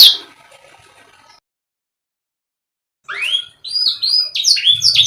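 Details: Canary song fragment: a short burst of notes, a long pause of near silence, then a rising swooping whistle leading into quick repeated bright whistled syllables.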